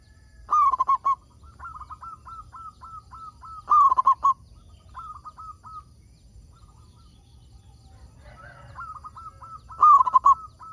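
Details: Actively singing local zebra dove, recorded as a lure to get other zebra doves calling: three loud phrases of four or five fast, bubbling coos, several seconds apart, with quieter strings of evenly spaced short coos between them.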